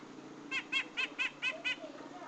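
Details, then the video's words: Six harsh, nasal grey-cheeked bulbul notes evenly spaced about a fifth of a second apart, over a steady low hum. The recording serves as a lure for trapping. "SUARA BURUNG CUCAK JENGOT"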